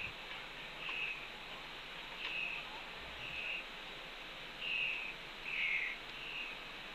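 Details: Young red-tailed hawk near its mother at the fledge ledge of a Cornell nest, 2:47 PM, June 2, 2013. Softer, hoarse high calls recur about every second or so over steady background hiss.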